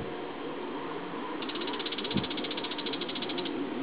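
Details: Bull-headed shrike giving a fast, even chatter of sharp, high notes lasting about two seconds, over a steady background hiss with a brief low thump.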